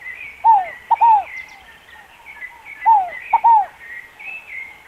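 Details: Repeated double coo notes, arched and mellow, from a scaled dove, two pairs in about three seconds, set against constant chattering of other small birds.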